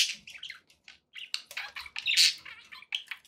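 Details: Happy budgies indoors make quick scratchy chirps and short squawks, spaced bursts building to a loud, harsh screech near the end, then softer twitters.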